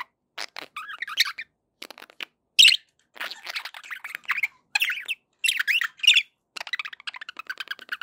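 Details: Budgerigar chatter for keeping pet parakeets company: a steady run of short warbling squawks and chirps, each burst under a second, with one louder harsh note early on and brief gaps between phrases.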